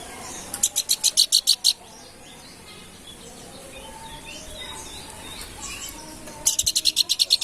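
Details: Hill babbler singing vigorously: bursts of rapid, evenly spaced high chips repeated about ten times, one burst at the start and another near the end, with quiet natural background between.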